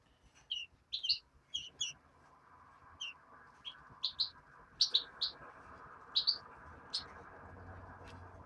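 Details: A hand-raised young European greenfinch gives short, high chirps, often paired, in irregular bursts about every half second to a second, over faint low room hum.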